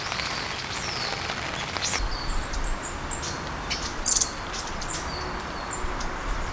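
Black-faced Bunting giving thin, very high 'tsi' notes, spaced irregularly about once a second, over steady hissing wind or rain.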